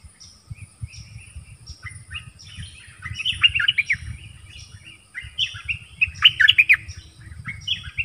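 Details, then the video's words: Nok dok taeng song-dueling with wild birds: a dense, varied stream of high chirps, whistles and buzzy notes that grows louder in two bursts. Steady low background noise. "เสียงนกดอกแตงEp.24 ดวลเพลงเบิ้ลกับนกป่า"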